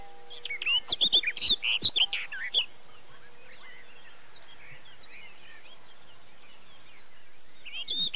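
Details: Barred warbler at Erdőhorváti, Tokaj, Hungary, in May: a loud scratchy chattering burst for over two seconds. Faint twittering from other birds follows, and a short loud phrase returns at the end.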